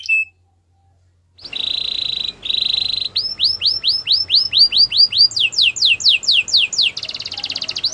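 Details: Belgian canary, training song: a brief note and a pause, then flat buzzy rolls, a string of swooping notes speeding into sharp downslurs, ending on another buzzy roll.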